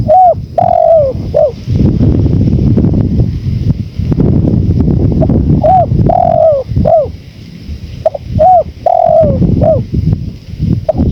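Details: Spotted dove coos repeated through a long stretch of blustery natural wind, used as tutor and calling sound: clusters of soft arching notes and drawn coos, with gusty low roar throughout.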